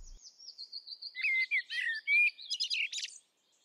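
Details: A Common Blackbird in the UK sings one rich, fluted phrase of mellow warbling that breaks into a squeaky, high twittering flourish, then pauses as if for breath before the next verse.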